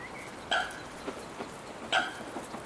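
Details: Gulls squabbling over food handed out by people give two short, strident, nasal cries about 1.4 seconds apart over a steady hiss, with faint softer notes in between.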